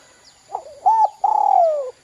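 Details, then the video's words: A single spotted dove phrase, 'kuk 2' lure style used to get young birds calling. A soft lead note, then a clear mid coo, then a long loud coo gliding steadily downward before stopping sharply. "PANCINGAN DERKUKU KUK 2 GACOR TELER JOS UNTUK PANCINGAN BUNYI DERKUKU BAHAN"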